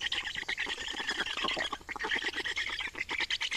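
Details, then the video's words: Black storks at an Estonian nest on 28 May 2019, changing over and feeding: fast, rasping pulsed calls, coarse and buzzy, rising and falling in loudness in short bursts. "Estonian Black Storks - Change and feeding"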